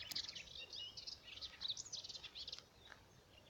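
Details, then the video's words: Melodious warbler recorded 17 April 2017, delivering a rapid, babbling jumble of high twittering notes for about two and a half seconds before falling quiet, with soft ambient noise beneath. "Hypolaïs polyglotte"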